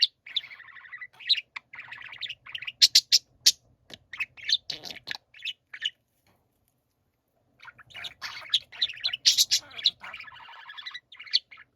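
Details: Several budgerigars singing together in a chorus: dense warbling chatter of chirps, trills and sharp clicks, with a pause of about two seconds before the chattering resumes. A faint low hum runs underneath.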